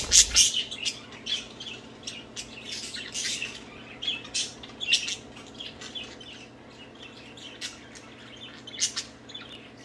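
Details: Budgerigars playing and singing: a loud harsh opening burst, then continuous scratchy chattering warble with frequent sharp squawky peaks, steady low hum beneath.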